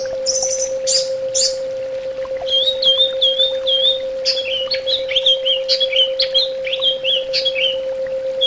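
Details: Orange-headed thrush song from a therapy recording: harsh high notes open the clip, then a run of wavering whistles and a quick series of sliding, descending phrases, with a steady background hum.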